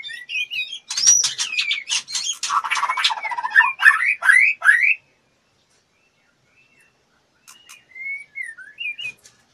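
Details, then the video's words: In breeding condition and fluttering to solicit mating, a female white-rumped shama delivers a loud, dense stretch of buzzy rattles and slurred whistles, then silence, then a few quieter whistled notes with clicks. "MURAI BETINA BIRAHI NGLEPER-NGLEPER MINTA DI ENCUS-CUSS"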